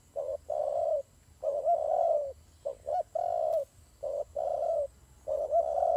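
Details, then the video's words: Cooing from turtle doves during a fight: short clipped notes each followed by a longer smooth coo, a pair repeated about every second and a half, with faint steady hum behind. "God dove Fighting"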